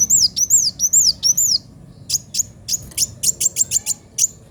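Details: Sunbird, kolibri wulung, singing vigorously with a sharp voice: four high looping whistles that rise then drop, then a series of short piercing ticks speeding into quick pairs.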